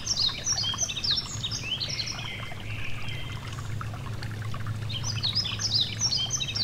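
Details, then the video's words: Yellow-throated bunting (Emberiza elegans) singing high, thin phrases of sliding, falling notes and short trills, with pauses between, beside a gentle stream whose steady low rush continues underneath. "Relaxing Nature Sounds: A Gentle Stream & The Yellow-Throated Bunting (Emberiza Elegans)"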